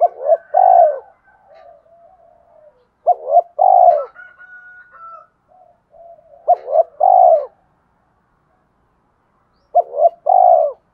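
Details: Spotted dove singing its whole song, described as effective for luring and provoking other doves; four phrases of paired short coos and a long mellow coo, spaced about three seconds apart, with soft trailing murmurs and a thin faint tone.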